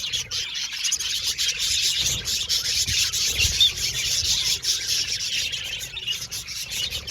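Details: Aviary colony of budgerigars: continuous high, scratchy chirps and squeaky warbles from many birds, with a few soft low thumps.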